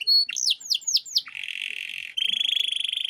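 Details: Luxurious-style canary master song for young birds to learn: a clear whistle, several fast swooping downslurs, then a long buzzy trill and a rapid, even rattle.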